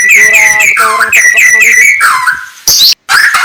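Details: White-rumped shama (murai batu) in the morning, giving rapidly repeated harmonic, nasal notes in short bursts, then a falling slurred whistle and a brief sharp note.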